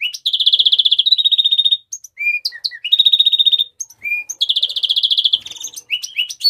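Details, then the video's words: Three long, fast trills from a Mexican rosefinch, each followed by short whistled slurs and chirps, in a steady back-and-forth pattern. "تغريد طائر الروزلان المكسيكي (تغريد أصلي)"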